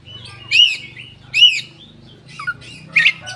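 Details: Koci with open tail singing as lure material for raw birds; two loud arched chirps about a second apart, then quick twisting notes and a final chirp over a low steady hum.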